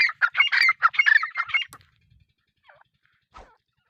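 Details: Grey francolin (teetar) giving a quick series of loud, harsh, evenly spaced notes that stop abruptly after under two seconds. Near silence follows, with a couple of faint distant notes.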